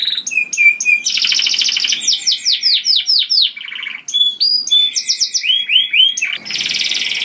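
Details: Loud melodious canary song for attracting other canaries, varied phrases of clipped whistles, buzzy trills and rolling repeated slurs delivered rapidly, about four notes per second.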